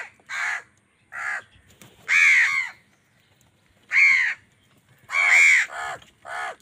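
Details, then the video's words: A crow fighting wild birds for food, angry, gives about eight raspy caws at uneven intervals, the strongest long and grating, the rest shorter and lighter. "Angry kawa ki awaaz"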